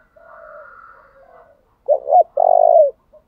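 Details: Decoy spotted dove switching song patterns to lure wild doves. A soft coo from another dove opens, followed by one loud phrase: two quick rolling notes and a long throaty coo.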